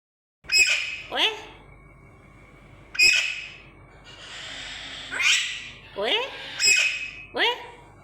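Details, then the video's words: A caged pet parrot gives harsh, rising squawks in short bursts, about six over eight seconds, each a raspy upward sweep with broad hissy noise, while its owner asks if it wants to come out. "parrot making noise"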